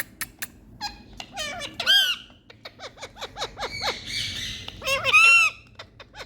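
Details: Indian parrots playing and talking, several harsh, arched squawks with harmonic stacks mixed with short sharp clicks and chatter, loud calls near two and five seconds.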